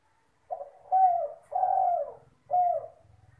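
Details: Village spotted dove singing actively, recorded as a lure sound. One full phrase: a short soft lead-in note, then three rich mellow coos, the middle one longest and gently falling, over a faint low hum.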